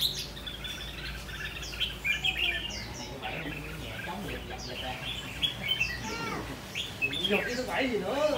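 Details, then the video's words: Caged Red-whiskered bulbul in a tall square cage with four corner perches, singing intensely: quick bright chirps and short whistled notes, about three or four a second, with soft talking and low hum beneath. "Chú chim lồng vuông cao 4 cầu góc của mình rồ ché hay quá"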